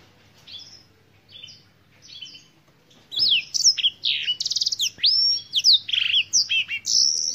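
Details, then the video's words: Black-throated canary, an African bird, opens with three soft, spaced chirps, then bursts into loud continuous song of falling whistles, rattling trills and quick upward sweeps for the last four seconds. "BlackThroat - Canary BlackThroat Sound"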